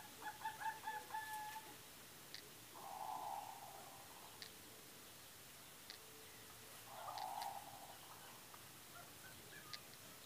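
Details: A Lady Amherst's pheasant gives a few short tonal notes, then two hoarse, wheezy calls about four seconds apart, each near a second long; faint clicks in the background.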